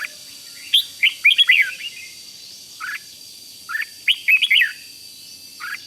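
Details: Red-whiskered bulbul giving a 'rik' style song to excite other bulbuls: two clusters of quick, rising-and-falling chirpy notes, plus a lone note at the end, with a thin constant tone in the background.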